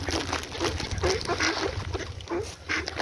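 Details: Ducks giving a run of short, nasal quacks, about a dozen in three seconds, irregularly spaced, over a constant low hum.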